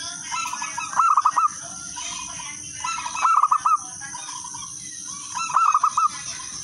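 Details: Perkutut, a local wild zebra dove, singing a clear melodious lure song to set other doves cooing: three rhythmic cooing phrases roughly every two to three seconds, against a steady shrill high-pitched drone.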